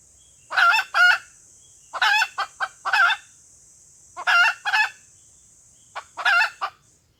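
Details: Female red junglefowl call used to lure males, loud grating cackles in groups of two or three, separated by pauses, over a constant high electronic hiss.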